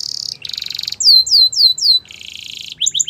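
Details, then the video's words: Yellow canary singing in the morning: high, fast trilled rolls, then a series of loud sweeping downslurred whistles repeated about four times a second, another buzzy trill, and quick chirps at the end. "Yellow Canary Singing In The Morning"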